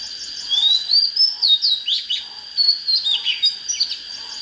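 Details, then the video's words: Oriental magpie-robin in fine, fired-up song, used to rouse birds for fighting wild birds: rising clear whistles sliding into quick twisting high notes, phrases in rapid bursts, with a steady thin high tone behind. "Chích chòe than HÓT HAY || Cách LÊN LỬA TỐT NHẤT"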